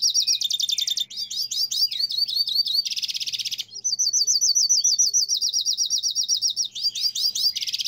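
Hooded Siskin singing a fast, unbroken stream of high, bright twitters and buzzy trills with rapid slurred notes, running on for several seconds without pause.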